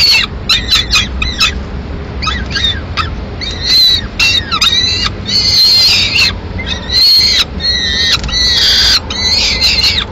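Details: A solitary Peregrine falcon chick calls for food in Madrid, 22 May 2016, while the female eats a swift at a window. Clipped, stuttering notes open, then longer grating screams follow in ragged sequence.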